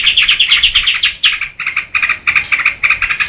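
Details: Yellow-vented bulbul singing vigorously as a lure and tutor for other birds. Crisp, separate chirps repeat quickly at first, then after a short pause come in clipped pairs and small clusters.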